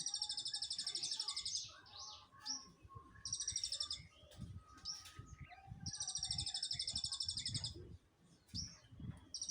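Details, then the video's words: Munias giving long, high, buzzy trilled rattles in bursts of one to two seconds, interspersed with short chirps, over low background rumble and murmuring. "burung Pipit bodol/ emprit kaji ngriwik"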